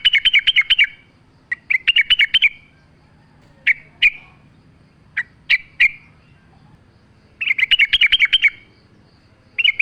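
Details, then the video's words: Training lure of a sooty-headed bulbul with nature sounds: rapid bubbly chattering phrases alternate with scattered single sharp chirps, bursts returning every few seconds over a quiet low background hum. "pancingan trucuk gacor mewah full suara alam"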